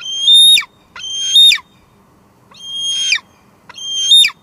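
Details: Female bald eagle calling at her Two Harbors nest in July 2022, captured on live cam; four long, shrill, whistled squeals, steady then dropping at the end, spaced about one second apart.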